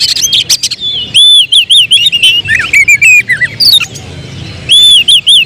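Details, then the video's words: Oriental magpie-robin (kacer), described as turning emotion into bursts of song at critical moments, a prospective contest bird. It gives loud, clear, arched whistles in quick series, interspersed with harsh clicks and twisting phrases. "Emosi berubah menjadi tembakan di menit menit genting, Kacer bakalan prospek lomba"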